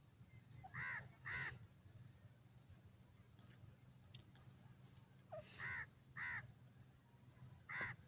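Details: Grey francolin, the teetar bird of India and Pakistan, calling in the Dakhni teetar style: harsh, ringing notes given in two spaced pairs, with a faint low hum and quiet background.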